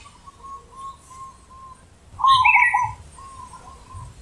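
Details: Zebra dove singing deep and loud: soft repeated low coos, then a strong rolling warbled phrase and quieter coos again. Brief higher chirps from another bird overlap the loud phrase.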